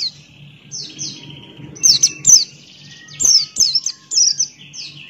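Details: Energetic male Buxton's white-eye singing ngalas style, beak open: thin, piercing whistled notes that slide downward, delivered in quick doublets and triplets, with soft high trills between and a faint low drone behind.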